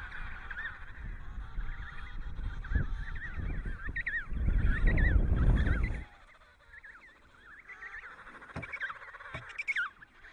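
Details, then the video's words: Emperor penguin chicks in Antarctica give shrill, wavering whistled calls, several voices overlapping and repeating quickly, with a burst of wind rumble in the middle. "Emperor Penguin Chick Cute Sound"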